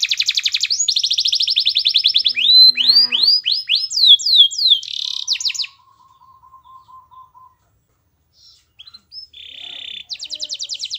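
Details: Canary singing vigorously on a master recording used to get other canaries singing. Dense high rolling trills and sweeping whistled notes run for about six seconds. A near-silent pause follows before a buzzy burst and another rapid trill.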